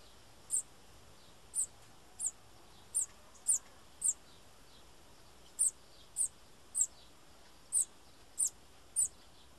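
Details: Bananaquit (cambacica) calling: twelve brief, very high, thin chip notes, irregularly spaced about half a second to a second apart with a pause midway, over a soft steady hiss.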